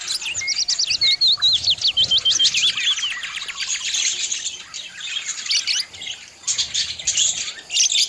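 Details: Pet budgerigars in song, opening with quick runs of sharp repeated chirps, then a busy mix of high twitters, squeaks and scratchy notes that rise and fall without pause.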